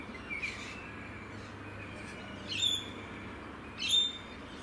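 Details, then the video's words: Australian rainbow lorikeet calls: a faint screech, then two loud, grating shrieks about a second apart, against a constant hissing background. "Rainbow Lorikeets of Australia - Nature Sounds"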